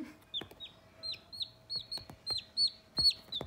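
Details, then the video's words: Sultan chicks just a few days old, pure white with feathered feet and white crests, playing; high, thin peeps with a sharp downward slide, given in an uneven series of about a dozen, with soft clicks and taps between. "Baby sultan chicks playing"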